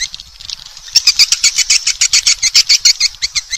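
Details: Call for luring swiftlets: quiet start, then a quick run of bright, buzzy high chirps repeated rapidly for about two seconds.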